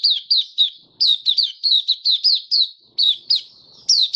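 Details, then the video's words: White-eye in opening song on 23 March 2022, warm humid weather: a steady chain of bright, high, slurred chirps delivered in quick succession with brief gaps, otherwise quiet surroundings. "Mata Puteh Kitaro Video 1 buka sing"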